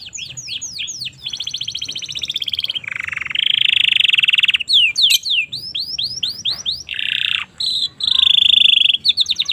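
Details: Domestic canary song used as a tutor and stimulus recording for young canaries, Indonesia: fast trilled tours of repeated downslurred notes alternating with dense buzzy rolls and a sharp chattering section, phrases switching every second or so.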